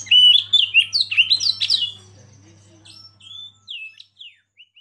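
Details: Oriental magpie-robin used as a lead bird to excite others into singing: a loud two-second burst of varied whistles and twitters, followed by sparse, fainter slurred whistles fading toward silence.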